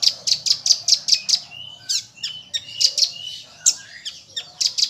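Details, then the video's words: Common iora training song, rambatan-filled tembakan: opens with seven rapid, piercing high notes, followed by whistled slurs and buzzy phrases, then more sharp repeated chips. "Konin Isian Rambatan Full Tembakan"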